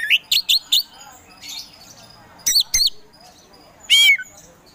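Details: Oriental magpie-robin (kacer poci) giving three quick squeaky notes, a faint pause, a pair of sharp whistles and a final harsh, buzzy note.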